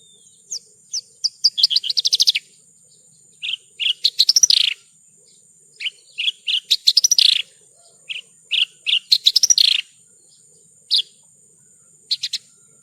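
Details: Masteran recording of the branjangan, Horsfield's bush lark: repeated phrases of high clipped chirps, each ending in a quick rising flourish, separated by short gaps. A constant thin high-pitched tone stays in the background.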